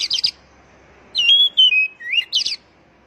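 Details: Oriental magpie-robin song, played as a lure so captive birds start singing. A short burst of high notes comes first, then clear, sliding whistles with a dip and upturn, ending in a quick cluster of sharp high notes.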